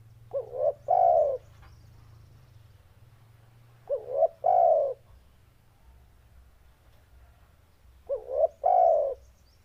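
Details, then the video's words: Deep, booming cooing of a spotted dove, each phrase a quick two-part lead-in then a long loud drawn-out coo, repeated three times at roughly four-second intervals over a faint low rumble. "Suara Burung Tekukur NGEBASS Suara BESAR Dan GACOR"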